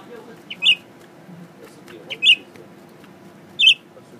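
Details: Caged male Blue-winged Leafbird, newly kept as a pet and unafraid of people, singing while looking into a mirror: three short, bright chirped notes spaced over about three seconds, each preceded by a faint pip, against a quiet indoor hum.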